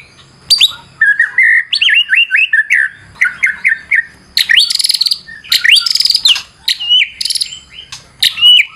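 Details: Fighter-style white-rumped shama lure song, fully varied: series of clear upslurred whistles repeated about four times a second, then loud buzzy rattling bursts and sharp high notes, with a quiet low hum underneath.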